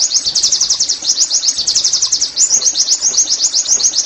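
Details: Caged-bird training song of an Oriental white-eye: continuous high, rapid chattering warble of quick slurred notes, tumbling on without pause throughout.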